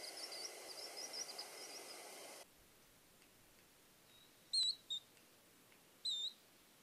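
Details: Varied Sittella in the Capertee Valley, Australia, filmed during nesting from eggs to fledglings; after a hissing stretch of noise, three short, high, thin chip notes sound, two close together and one about a second and a half later.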